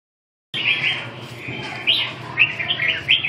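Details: Red-whiskered bulbul song: short bursts of bright, warbled, rising and falling whistled phrases, repeated at irregular intervals after a silent start, over a low steady background hum.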